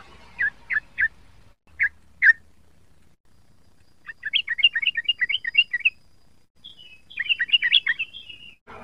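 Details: Young sooty-headed bulbul practising its song: several separate chirps, then rapid bubbly warbled runs of rising and falling notes, on a quiet background.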